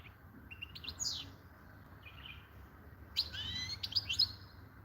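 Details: Singing European goldfinch: short sweet twittered phrases, a brief pause, then a denser run of quick tinkling, warbled notes, with faint low background hum.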